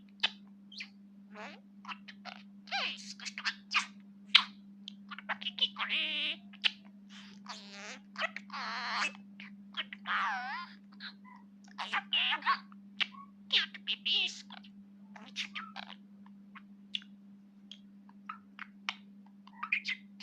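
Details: Pet budgerigar trained to talk, chattering rapidly with clicks, buzzy warbles and mimicked speech-like phrases over a steady low hum.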